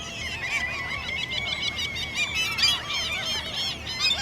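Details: Begging squeaks of common gulls in the mating season, the same behaviour later adopted by chicks to obtain food. A dense chorus of high, curved, mewing squeals overlaps steadily, with many birds calling at once.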